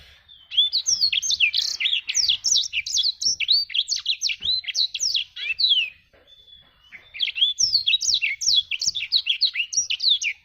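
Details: Vigorous song from a black-throated canary: dense, fast series of high, up-and-down whistled notes in a long phrase, a brief thin pause, then another rush of twittering.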